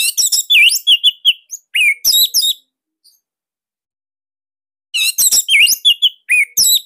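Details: Master-recording song of a Bali orange-headed thrush, used to coax caged thrushes into singing: two outbursts of rapid, loud, varied whistled and chirping phrases, separated by about two seconds of silence.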